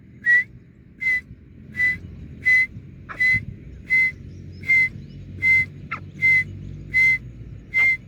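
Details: Grey francolin voice as single clear whistled notes, each short and slightly rising, repeated evenly about every three quarters of a second for eleven notes, with faint low background noise.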